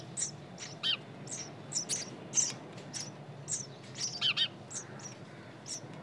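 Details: High, sharp chirping from nestling birds, brief notes repeated roughly every half second, a few in quick pairs, over faint low-pitched background noise.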